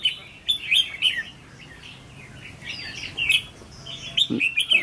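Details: Trainee decoy red-whiskered bulbul sings bursts of bright, chattering warbled notes at the start and again near the end, with a quieter stretch between.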